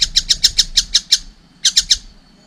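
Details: Short burst of about eight harsh, scratchy notes from a young collared kingfisher, a brief pause, then three more.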